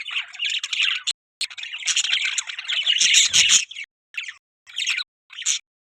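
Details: Budgie chirping comes in scratchy warbled phrases and sharp squawks, ending in short separated chirps with silent gaps.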